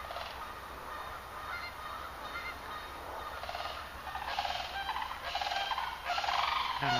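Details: Sandhill cranes resting overnight on a city-park pond behind a backyard, Saturday morning before migrating south, give loud, rolling, trumpeting calls in overlapping bursts about every second, growing louder toward the end, over a steady high hiss.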